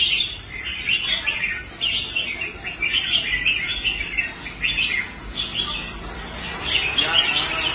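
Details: Red-whiskered bulbul kept for song contests, rehabilitated after abandoning competition, singing on the show rack: bursts of bright warbling notes in short phrases separated by brief gaps, steady low rumble underneath.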